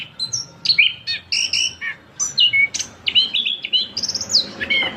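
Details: Orange-headed thrush (punglor kembang) held for sale, delivering its long song as a string of short bright whistled notes and chirps, each phrase separated by a short gap, some with upward flicks.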